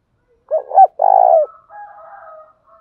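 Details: Spotted dove cooing to attract other birds: two short, low, rounded notes followed by a longer, vibrating, purring coo that falls slightly at the end, then faint softer trailing notes.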